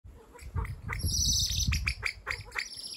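A male common pheasant gives a run of harsh, raspy squawks and rough bursts over about three seconds, with a low wind rumble beneath.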